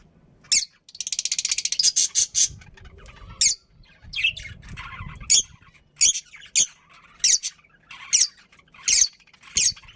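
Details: Pet budgies at home give sharp, scattered squawking chirps with gaps between, plus one fast rattling buzzy trill early on; faint low rumbling noise sits underneath.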